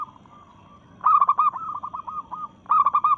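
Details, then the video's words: Challenging rivals, a local zebra dove in breeding mood gives a loud cluster of quick coos that trails into a softer rolling series, then another loud burst, over faint background cooing. "Perkutut Lokal Gacor SUARA menantang lawan"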